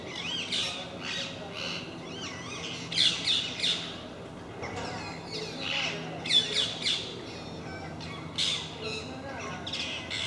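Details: A group of parakeets visiting MK park, where they come regularly and make a racket: harsh, screechy squawks in ragged bursts about every second or two, several birds overlapping, over a low steady background hum.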